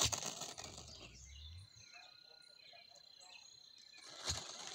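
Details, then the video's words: Dancing criollo turkeys in the Mixes give a quick puff and a low, rolling drum of about one and a half seconds, with a second puff near the end, against a constant high-pitched insect hum. "GUAJOLOTE BAILANDO"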